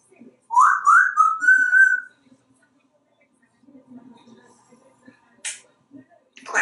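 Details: Male pet African grey parrot, hatched in 1997, kept in a home in Texas, in the bathroom on the shower: three loud rising whistled notes, then a long steady whistle, followed by quiet mumbling and a short hiss.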